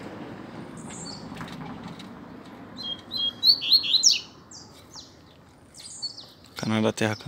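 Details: A saffron finch sings in the distance behind wild-caught-style coleiro sessions in the bush: a burst of bright, high chirps and short trilled notes, with a man's voice and a brief loud knock near the end.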